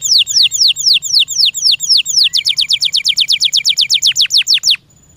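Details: Caged canary repeating loud down-sweeping whistles about four per second, accelerating into a faster run before stopping abruptly.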